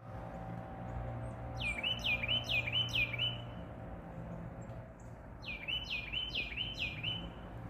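Carolina wren gives two loud rolling bursts of four quick, ringing down-slurred phrases each, about three per second, over a steady low hum.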